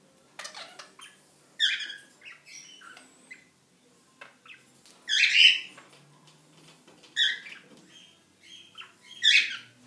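Cockatiels give harsh, screechy squawks in bursts every couple of seconds, with softer chirps between.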